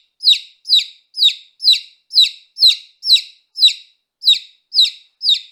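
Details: A baby chick gives a steady run of eleven sharp, high peeps, each falling quickly in pitch, roughly two per second, with a brief pause midway; no other sounds.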